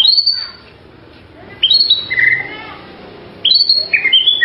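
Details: Melodious song of a white-rumped shama: three separate bursts of bright whistled phrases, each opening with a high piercing note and then sliding lower, with quiet gaps of over a second between bursts.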